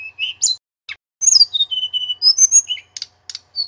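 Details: Male Sunda robin in loud, lively song, used as a tutor for magpie-robins: short bright whistles, slurred high notes and a run of level whistled tones, broken by brief pauses and sharp clicking notes.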